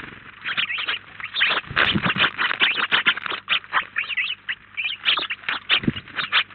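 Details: House sparrow flock of up to 19 birds feeding together at a feeder in Collado Villalba, producing dense, continuous chirping and chattering, many overlapping short notes with no gaps.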